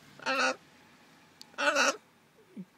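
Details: A 7.5-month-old male pet blue-and-gold macaw, in a harness on a car day trip, repeats "hello" in different accents. Here it says a harsh, raspy "hello" twice, about a second apart, each word lasting under half a second.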